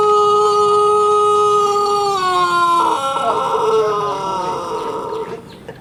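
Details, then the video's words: Pelung chicken rooster from a breeders' community in Sukabumi regency, West Java, crowing while sunning, with a long, steady, clear-toned note held over two seconds that drops lower and then continues in a rougher, wavering tail before fading. "CACAKAN keur MOYAN tapi ciga anu keur KONTES/GACOR SUARANA"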